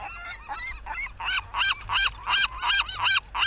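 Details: Gulls at Rio del Mar give a rapid run of arched, nasal, yelping calls. Each note rises and falls with bright overtones, about three notes per second, and the series grows louder toward the end.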